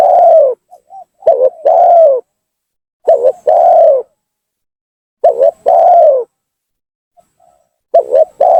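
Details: Spotted dove lure call for provoking rivals: loud phrases, each a quick doubled coo then a long arched coo, repeated roughly every two to three seconds with soft extra notes in gaps.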